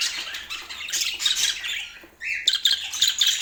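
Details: Portland pet budgerigars chatter in high scratchy notes, pause briefly, then one gives a rising whistle followed by quick bright chirps.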